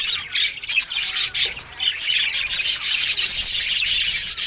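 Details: Australian budgerigars in an aviary, a crowded chorus of shrill chirps and scratchy warbling that runs almost without pause, loud and high throughout.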